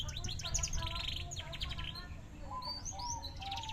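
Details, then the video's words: Large-bodied canary singing: a dense burst of fast buzzy trills and rolling chirps, then clear whistled notes and rising high sweeps over low background rumble. "kenari big postur"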